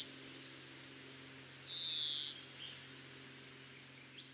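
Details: A common kingfisher (Alcedo atthis), a bird of waterside habitats, gives shrill, piercing high whistles, single or paired, at an irregular pace over a steady high hiss and a faint low hum.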